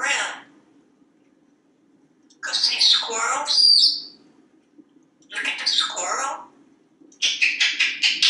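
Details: A talkative pet African grey parrot, hatched in 1997, perched on a kitchen faucet in a Texas home, chattering: harsh squawky bursts with short gaps, ending in a rapid series of clipped repeated notes.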